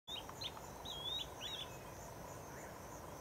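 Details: Swallow-tailed bee-eater recorded in Gambia in 2009: a few short, high chirped notes, some sliding slightly, bunched in the first second and a half, then fading under a steady background hiss.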